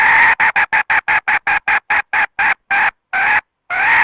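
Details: Red junglefowl hen calling, used to lure wild birds into a trap: a steady series of short, nasal, harmonic clucks, about four per second, that grow longer and more widely spaced near the end.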